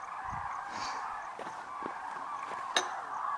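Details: A large flock of common cranes, among more than 40,000 wintering in the Great Rann of Kutch grasslands, gives a steady, overlapping chorus of rolling, trumpeting calls with sharper calls rising above, on the evening flight to roost in January.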